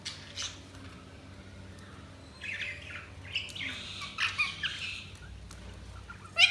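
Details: Budgies chirping: soft, scattered chirps that grow into a busier patch of scratchy chatter, then a sharp, loud chirp at the close, over a steady low hum.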